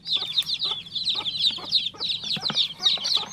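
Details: Fast, insistent chirps of a baby chick, bright falling notes almost three per second, interleaved with light knocking or pecking taps.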